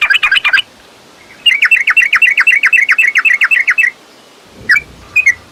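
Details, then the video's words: Yellow-vented bulbul, a lure for caged birds to provoke energetic song: a brief burst of quick chattering notes, then after a gap a long even trill of clipped, bright notes, ending with two isolated chirps and faint low rumbling. "Trucukan Gacor TARUNG ROPEL PANJANG || Pancingan Trucukan Agar Bunyi Gacor EMOSI!"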